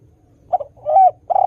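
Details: Fragment of spotted dove song, recorded to draw wild doves into calling: two quick soft notes and a short rising coo, followed by the start of a long rolling coo, with faint low background rumble.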